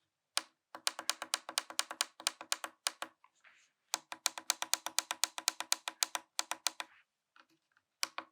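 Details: Fast runs of sharp, dry clicks like typing on a keyboard, broken by short pauses, with no animal sound.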